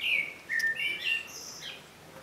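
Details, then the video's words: Short burst of common blackbird song: a high opening note, a mellow falling whistle, then thin, high twittering that fades out. "Blackbird song - Turdus merula - შავი შაშვი"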